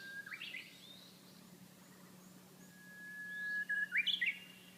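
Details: Japanese bush warbler singing near Kiri Church on a hilltop above a strait in Kamigoto, Nagasaki, Japan: a brief whistled flourish, a pause, then a long steady whistled note ending in a quick rising, warbled phrase, in quiet surroundings.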